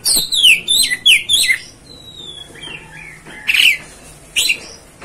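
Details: Oriental magpie-robin, known as kacer, giving provoking song: rapid falling whistles and high buzzy bursts, a gap with soft gliding whistles, then two short harsh phrases.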